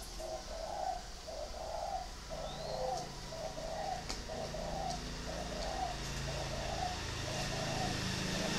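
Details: Caged spotted dove at a bird farm in Ba Vì, Hanoi, Vietnam, cooing a long run of soft, low, hollow notes in quick regular succession, with a steady high hiss in the background.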